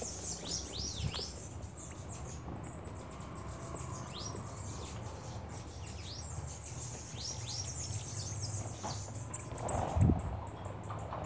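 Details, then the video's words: Several Bananaquits at a feeder give thin, high, down-slurred tsit notes in a busy, irregular scatter over a low steady background hum. "Caga-Sebo(Cambacica) fizeram a festa no comedouro."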